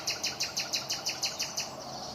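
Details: Common nightingale singing: a rapid, even series of about eleven bright, sharp notes, around five per second. Steady hiss and broad background noise run beneath them.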